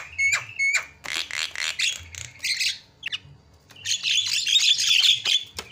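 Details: Javan myna lure call for drawing out other birds: two short whistled notes, then rasping chatter, a pause, and a long loud spell of harsh, buzzy squawking.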